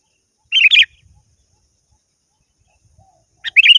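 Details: Sooty-headed bulbul calling to a rival: two brief liquid, warbling phrases about three seconds apart, with faint low thumps between them.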